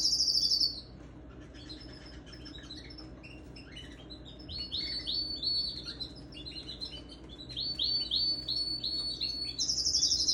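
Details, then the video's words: Canary song from December 17, 2021, opening and closing with loud, buzzy high trills, while the middle holds softer, scattered chirps and a run of quick repeated sweeping notes. "Powerful sing my beautiful canary"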